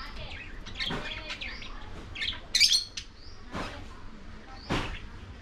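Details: Lovebirds feeding on corn, giving high thin chirps and a loud buzzy squawk burst in the middle, with a few sharp clicks spaced apart.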